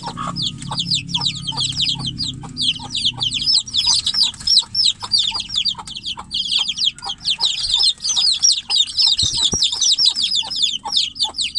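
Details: Chicks calling for their mother from inside a cage while the hen waits outside; relentless high cheeping, rapid downward-slurred notes crowding over one another, brief low rumble early on.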